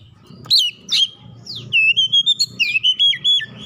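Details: Magpie-robin song played as a lure to provoke other birds to respond: a couple of sharp descending notes, then a fast run of repeated clear whistled syllables, about eight in under two seconds.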